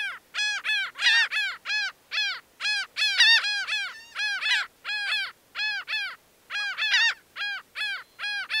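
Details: Laughing gull giving a long run of nasal, arched laughing notes, roughly three per second, repeated in a steady, slightly uneven rhythm for several seconds with brief gaps.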